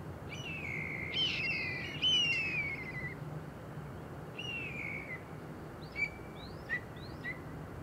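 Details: Steller's jay on top of a tree, giving a series of short down-slurred calls with a rough edge. Several longer notes come first, then quick clipped ones over a steady low rumble.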